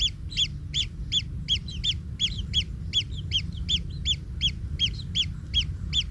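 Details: Evenly spaced shrill chirps, close to three per second, come from kingfisher nestlings under a trampling parent, with a few quieter overlapping notes and a low background hum.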